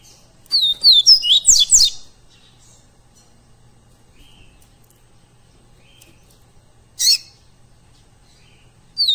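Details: Live recording of a Double-collared seedeater singing, meant for training captive birds: a quick phrase of high, downslurred whistles that speed into a dense jumble, then isolated sharp high notes after a quiet pause.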